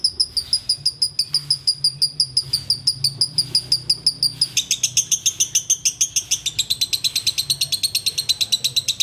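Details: Sooty-headed bulbul performing ngekek: a rapid string of thin, very high ticking notes that shifts partway through into a denser, louder, harsher chatter, about three notes per second throughout.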